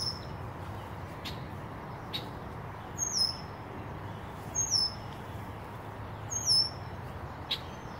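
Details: Red-winged blackbird dive-bombing a person near its nest, calling in nest defence: thin, high, downward-slurred whistles, three of them about every one and a half to two seconds, with a few short sharp chips between, over low steady background rumble.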